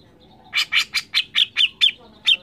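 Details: Grey-cheeked bulbul singing vigorously, a rapid series of about nine harsh, slightly buzzy notes, each with a bright whistled tip, repeated roughly four times a second against a faint, steady background.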